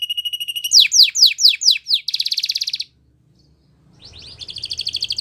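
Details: Belgian canary song for training: a steady buzzy tone, then strong repeated downward-swept whistles, a rolling trill, a pause, and a renewed buzzy trill.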